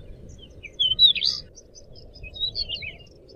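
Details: Actively singing pied bushchat: a loud, scratchy burst of high twittering notes, then a quieter string of thin chirps and short whistles, with faint low background noise.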